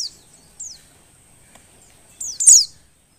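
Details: Female Oriental white-eye in breeding condition, calling to stir males to sing: a lone high falling note, then a quiet pause and a loud closing burst of thin, descending chirps.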